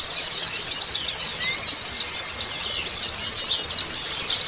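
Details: Massed Oriental white-eye twittering played as a lure for untrained birds. A constant high jumble of chirps is punctuated by louder, clear descending whistles near the middle and end.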